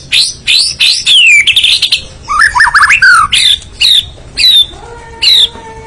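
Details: White-rumped shama song: loud varied bursts of sweeping whistles and squeaky slurred notes in quick separate phrases, with a steady low hum beneath.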